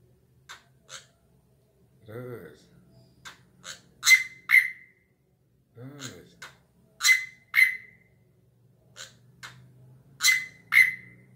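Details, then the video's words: Drongo urged on to keep singing in time with a hand: repeated pairs of loud, snapping notes ending in thin whistles, about every three seconds, with quiet clicks between and a person's voice twice. "BURUNG SRIGUNTING SUARANYA MENGGEMAH"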